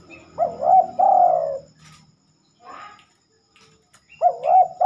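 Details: Spotted dove calling at night, a bird that seldom sings then: mellow cooing phrase with a wavering double note and a long falling coo, a pause with faint rustles, then the phrase starts again.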